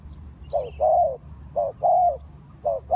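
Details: Spotted dove calling as a lure for trapping wild birds: low cooing notes in pairs, a short note followed by a longer drawn-out coo, repeated about once per second, with faint higher chirps from other birds.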